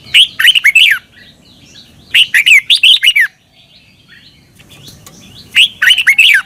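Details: Caged red-whiskered bulbul in Thailand, from a recording played to young birds to teach them song: short bursts of loud, rich warbled phrases with quick rising and falling notes, repeated every two to three seconds over faint low background hum.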